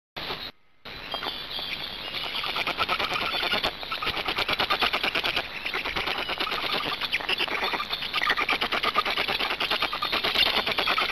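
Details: Black storks at a Hungarian nest during feeding, 26 May 2019 at 18:53: dense, rapid rasping pulses, roughly three per second, rising and falling in a continuous noisy chatter, after a brief dropout at the start.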